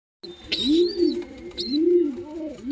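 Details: Pigeon chick being fed by an adult bird: two soft, low, arching moan-like notes about a second apart, with a thin high whistle drawn out above the first and a brief high squeak near the second.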